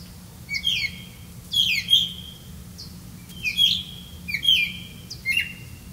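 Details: Red-vented bulbul catching crickets to feed its young; loud, clear chirps arriving in small clusters roughly every second, each a bright note that drops then flattens, with quiet gaps between.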